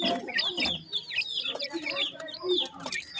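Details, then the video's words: Painted francolin chicks a few days old, calling together: dense, high, falling peeps from several birds at once, mixed with lower soft clucks. "dakhni teetar chicks bird voice in first days,partridge chicks"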